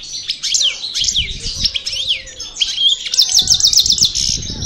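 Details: After moult, a parva goldfinch from El Bordj sings a lively high twittering medley, with swooping slurred notes early on and a quick, evenly pulsed trill of about a dozen notes near the end.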